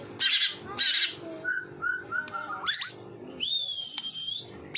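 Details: White-rumped shama 'tembakan' song from a real bird: two harsh raspy bursts, a string of soft low whistles, rising slurs, then a long clear whistle held nearly level to the end.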